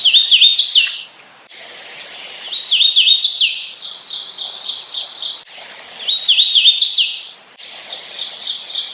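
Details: Hooded warbler delivering slurred whistled phrases that swoop up at the end, interleaved with rapid series of short repeated notes, with abrupt breaks between segments.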